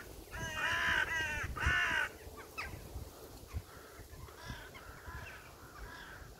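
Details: Crows cawing: two loud, grating, drawn-out caws back to back, followed by a string of softer, more distant caws roughly every second.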